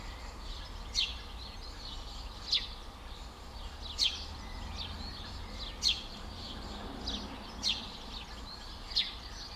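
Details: An excited, alarm-calling Eurasian tree sparrow at its nest at Skřivany on 11 May 2015 gives six sharp, high, clipped calls about every one and a half seconds, over softer background chirping and a low rumble.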